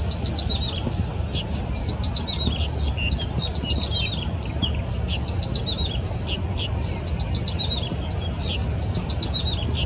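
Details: Along the Keelung River at Yingfeng Riverside Park on 14 April 2017, a yellow-bellied prinia repeats quick descending cascades of clear, high notes, several phrases in a row, against a constant deep rumble.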